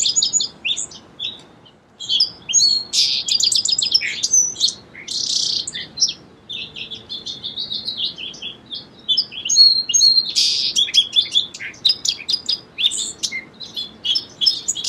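Song sparrow singing a near-continuous run of bright chips, twitters and buzzy high notes, with only brief pauses.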